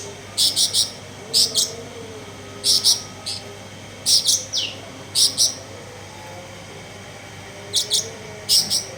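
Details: Caged blue-winged leafbird after bathing: sharp high chipping notes in quick bursts of two or three, repeated roughly every second, with some falling slurred notes and faint low hum behind.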